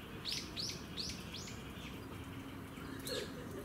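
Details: Arctic warbler bathing at Gongenyama Bird Sanctuary, Japan, on 10 October 2015: a quick run of four or five thin, sharp, downward-sweeping high chirps over steady background hiss, then one more faint note.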